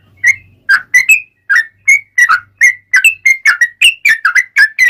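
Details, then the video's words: Yellow-vented bulbul singing a long 'ropel' in lively 'gacor' style, meant as a lure: a quickening sequence of whistled notes that swing up and down, with a faint low hum at the start. "trucukan gacor ROPEL PANJANG buat pancingan trucukan agar bunyi"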